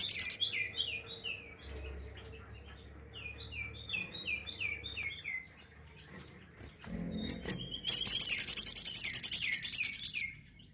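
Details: Sooty-headed bulbul giving its tembakan-style song, used as tutor material for songbirds: a run of about eight short, clear, downslurred whistles, then a fast, sharp, buzzy trill of rapidly repeated high notes near the end, with faint low hum beneath.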